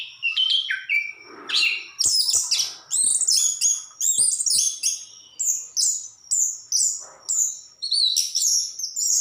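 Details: Orange-headed thrush, the anis kembang, singing energetically with rapid, high, varied phrases repeated in quick bursts, accompanied by a few faint clicks and knocks.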